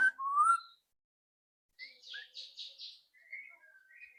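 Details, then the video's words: White-rumped shama giving its loud rattling song, used to prompt another bird to sing quickly: a bright rising whistle, a pause, then a run of harsh buzzy chattering notes and thin high whistles. "PANCINGAN MURAI BATU AGAR CEPAT BUNYI ketrekan keras murai batu"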